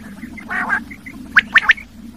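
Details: Common quail giving a short nasal growl followed by one crisp three-note phrase, over a steady low electrical-sounding hum.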